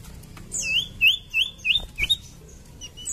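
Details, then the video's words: Common iora song: a rapid series of five wavy, rolling whistled phrases about a third of a second apart, with thin high sweeps above. "PANCINGAN BURUNG SIRTU / CIPOH MALAS BUNYI"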